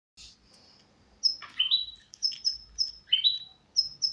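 A goldfinch hybrid sings bright, high twittering phrases: thin whistles and quick rising slurred notes, delivered in short bursts with brief pauses. Nothing else is heard.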